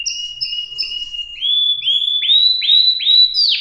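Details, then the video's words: Canary song opening with paired high and lower whistled notes repeated three times, then a series of bright rising upslurred notes about every half second. "صدای قناری"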